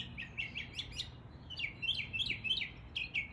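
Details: Rapid series of chirped, downslurred notes, about three per second, from a mockingbird imitating East Tennessee birds, the phrase repeated with slight variations over a low background hum.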